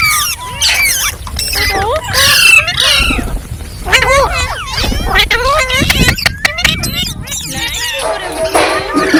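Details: A flock of green parrots calling: busy, overlapping squawks and wavering chirps, with sharp clicks and broadband noise bursts in between.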